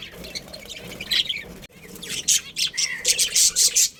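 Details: Colony of budgerigars chirping; a soft start with faint calls, then a run of loud, harsh, high chirps and squawks repeated in rapid succession.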